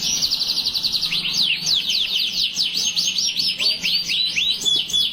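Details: Energetic, long-running canary song: a fast buzzy trill, then a string of quick sweeping chirps that rise and fall, repeated rapidly with little pause, over faint background hum.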